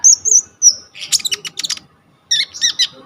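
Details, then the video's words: Phone recording of a coconut lorikeet with a full repertoire, used to tutor kolibri ninja birds: a high sliding whistle, then a scratchy chattering run, a short silence, and a few warbled bright notes. "KONIN GEACOR FULL ISIAN 99% COCOK BUAT MASTERAN KOLIBRI NINJA TROTOL/IJOAN"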